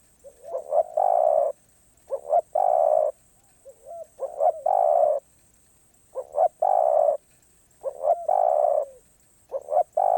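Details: Spotted dove song in the 'pa roi' style, sung off cue. Repeated phrases of short, bubbling lead-in notes each end in a sustained, even coo, about six phrases, with soft gliding notes between some.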